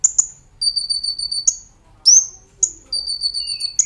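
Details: Kolibri ninja, or Brown-throated sunbird, in active nembak ngerol song for training cage birds: thin, high, even trills lasting nearly a second, punctuated by sharp, rising, piercing chirps and a few lower soft notes.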